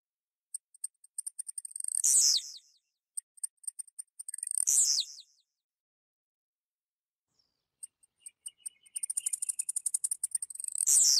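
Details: Blue-black grassquit from central-western Goiás, Brazil, singing: a series of dry ticking clicks building into a loud, very high buzzy note that drops steeply in pitch, heard three times.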